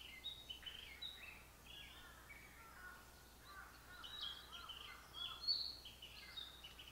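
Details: Brown-headed thrush singing on 28 April 2019, filmed through a digiscope: a run of short whistled and chirping phrases, mostly high, with some lower warbled notes in between. The phrases come in uneven bursts over a soft background hiss.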